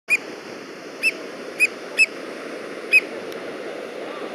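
An American oystercatcher gives loud, sharp, piping 'wheep' notes, six in about four seconds at an uneven pace, over a steady wash of surf or wind.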